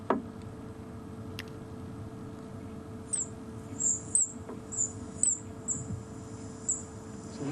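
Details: African pygmy kingfisher (Ispidina picta) call played back as a reference recording during a South African safari broadcast, 23 Jan: very high, thin, piercing, almost frequency-like notes repeated about twice a second over a low hum.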